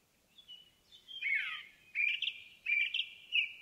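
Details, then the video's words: Indigo bunting singing in a forest: a high, bright phrase of slurred notes that sweep downward, followed by three short, sharp chirps spaced under a second apart, with a quiet background. "Indigo Bunting in the Forest"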